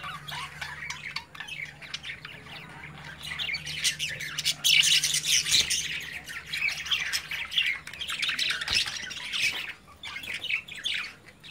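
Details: Several caged budgies, chicks playing under their parents' watch; loud, raspy squawks and bright chirps, overlapping and irregular, over a faint steady hum.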